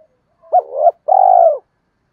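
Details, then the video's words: A single spotted dove coo phrase from a lure bird used to provoke males. A sharp rising note slides into a wavering middle part, then a pause and a sustained, mellow, low coo. "chim cu moi thuc dau va gay goi"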